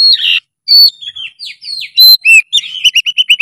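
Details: Oriental magpie-robin singing loudly and energetically: a sharp high whistle and a buzzy note, then varied slurred whistles, ending in a fast series of repeated upslurred notes; no other sounds.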